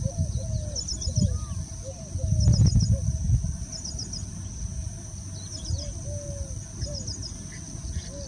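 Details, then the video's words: Rain quail giving its mating call in Hubli, India: short high-pitched bursts of three or four quick notes, repeated roughly every one to two seconds, over a steady high hiss, low rumbling noise and softer lower whistles. "Rain Quail mating call"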